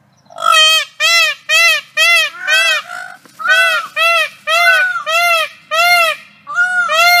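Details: Peacock calling to peahens in the courtship season: loud, nasal, honking cries with rich harmonics, each note arched in pitch, repeated about ten times in quick succession with brief gaps, in a quiet setting.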